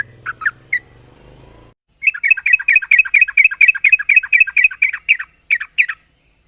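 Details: Morning song of a yellow-vented bulbul in long 'ropel' style, played as a lure to set other bulbuls singing; after a few notes and a low rumbling noise, a fast run of repeated bright chirps, roughly two a second, continues for four seconds.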